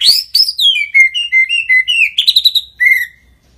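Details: White-rumped shama in active gacor singing: a high whistle sliding down, then a quick run of short clear whistled notes at a steady pitch, ending in a brief chattering burst and a final drawn-out whistle.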